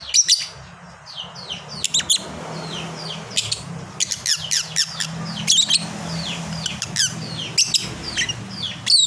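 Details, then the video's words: Fighter lovebird in full voice, giving a long chatter: a busy stream of sharp, high, downward-sliding squeaks and chirps with brief pauses between bursts. A low hum runs underneath. "berkat suara burung lovebird ini banyak yang nyaut"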